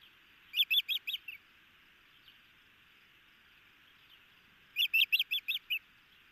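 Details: Osprey pair on a nest cam in Hellgate Canyon, Missoula, Montana, just before 1 a.m. on 6 June 2018, both alert as the male chases an intruder: two bursts of five or six sharp, high whistled chirps about four seconds apart.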